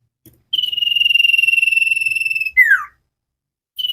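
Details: Common iora singing sirtu style as cage-bird training material: a single long, loud, rapidly pulsed whistled trill of about two seconds ends in a downward slur, and a new trill starts.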